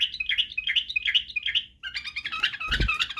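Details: White-eared bulbul (Badrawi) singing for young bulbuls to learn song and barwaz. Quickly repeated looping whistled notes come in a steady rhythm, then a denser jumbled passage with a low thump.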